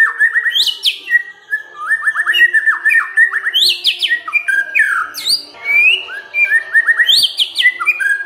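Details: White-rumped shama song used as a provoking lure: a dense, varied stream of whistled upslurs, quick trills and piercing high upswept notes, almost without pause.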